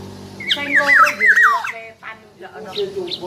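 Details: Black-naped oriole producing a clear sequence of looping, descending whistles, quickly repeated, while people talk faintly underneath.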